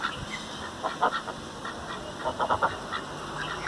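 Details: Four ducks swimming in a Hindu temple's holy tank at Tenambakkam, India, on 25 March 2022, give short, nasal quacks in two quick clusters of three or four, over a steady background hiss.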